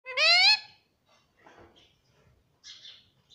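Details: A pet Indian ringneck (rose-ringed) parakeet called Mithu talks, saying words like "mummy" and "papa": a loud, nasal, voice-like word, then softer speech-like murmurs, ending on a brief high chirp.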